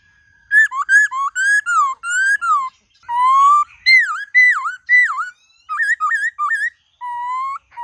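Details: White-cheeked laughingthrush song in a varied, many-voiced wild style: loud, clear whistled notes, some rising, some dipping and looping, delivered in quick phrases with short pauses; clean background with no other sounds.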